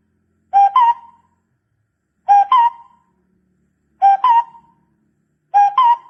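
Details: Two-part barbet call meant for luring, a low note stepping up to a higher fading note, given four times at steady intervals of about one and a half seconds.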